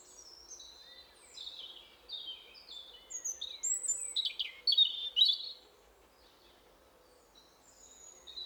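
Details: Spring forest, breeding season: European robins, two answering each other, one close and one farther off, sing to mark territory. The phrase is elaborate and flute-like, with high thin whistles, rapid twittering trills and sliding notes, then a fainter distant reply.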